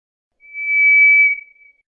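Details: White's thrush singing: a single long, thin, steady whistle on one level pitch, swelling in and fading out over about a second, with no other sounds around it.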